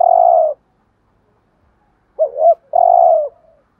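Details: Spotted dove decoy cooing in the Vietnamese 'thúc gù' style, used to lure other doves: three low, hollow coos, the first and last held about half a second, the middle a quick wavering double note, against silence.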